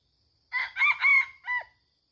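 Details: A wild red junglefowl, recorded while being lured for trapping at a site with many junglefowl, gives one brief, clipped crow in three or four hoarse, strained bursts lasting just over a second, ending abruptly.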